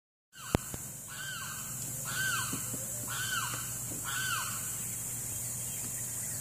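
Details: Limpkin calling: a series of arched, wailing notes repeated roughly once a second over a steady background hiss and low hum.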